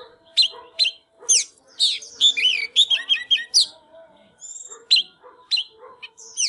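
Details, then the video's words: Singing, dancing White-rumped shama at the 2022 new year: loud, varied whistled phrases mixing sharp high upslurs, warbled runs and short chirps, delivered in bursts with brief gaps, over a faint low hum. "Chích chòe than LÊN LỬA || HÓT MÚA ĐẲNG CẤP"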